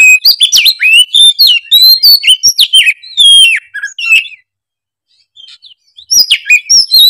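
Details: Oriental magpie-robin in full, energetic song showing off its learned repertoire: fast, varied bursts of sharp whistles, trills and slurred notes, a brief pause, then another rapid run of high whistled phrases.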